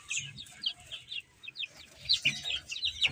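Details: Baby chickens eating and playing: clear, high descending chirps from a few chicks, some sharp and loud, irregularly spaced, over low scratching and pecking sounds.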